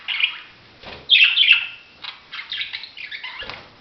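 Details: Budgerigar chatter: a loud descending scratchy squawk, followed by a rapid run of short buzzy chirps and warbled notes, with a couple of soft knocks in between.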